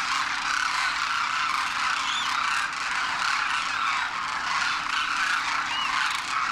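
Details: Demoiselle Crane flock, wild migrants wintering in north India at Khichan Village, Rajasthan, first-winter juveniles alongside parents, taking flight; many birds calling at once in a thick, steady rolling chorus, with a few higher notes standing out.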